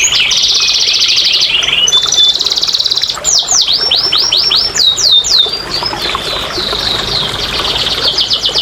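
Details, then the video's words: Canary song for stimulating quiet canaries to sing: long buzzy rattling trills, then a series of swooping downslurred whistles, returning to a steady high trill. "TERAPI & PANCINGAN BURUNG KENARI MALAS BUNYI"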